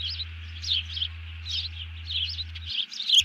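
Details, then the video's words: A bald eagle calls an alert after taking a fish on 31 July 2020 while a companion hits the deck. Quick, high-pitched piping phrases run in clusters, ending in a sharper louder note over a low hum. "grabs the fish, alerts"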